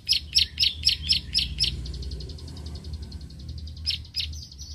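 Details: Bar-winged prinia challenging a rival: loud, high clicking notes open the passage, fading into a rapid, faint chatter. Two more strong clicks follow, then a thin high trill, over steady low background noise.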